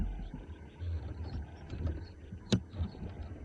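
Low vehicle engine rumble with one sharp knock or click partway through, and no animal calls.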